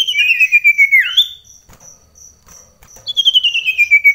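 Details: Indoor common iora in a close singing match: a descending whistled trill with a sweeping upturn, a pause with faint high piping, then another rapid trill gliding gradually lower.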